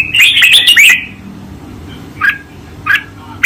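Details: Red-whiskered bulbul giving a master song for training, 2024: one second of quick, loud, jumbled whistled notes, then quiet with two short separate chirps spaced about half a second apart, faint background hum.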